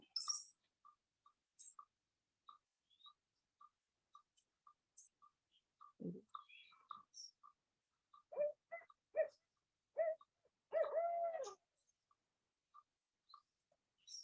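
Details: Barred owl giving its eight-note call, a series of rhythmic hoots ending in a drawn-out, falling note, with faint regular clicks or ticks underneath.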